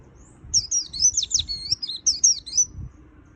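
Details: Energetic white-eye song full of fill phrases, delivered as one continuous rapid warble of high, twisting notes that rise and fall quickly, with a soft low rumble underneath.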